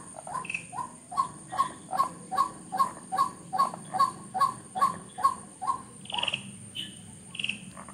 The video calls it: White-Breasted Waterhen Unique Sound